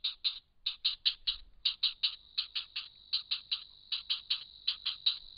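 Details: Grey heron nest at Hen Reedbeds with a committed pair raising young; a long run of dry, clicking notes, mostly rapid pairs and triplets, steady and insistent, in otherwise quiet surroundings.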